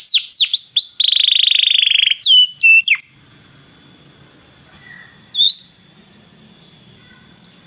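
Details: Belgian canary singing to warm up other canaries: a few looping whistles and a brief rolling trill, then mostly quiet with occasional single clear notes.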